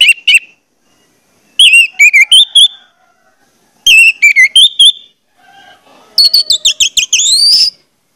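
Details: Orange-headed thrush lure song intended to get others singing: clusters of bright, wavering whistled notes in four bursts, the last a dense, rising, rapid run.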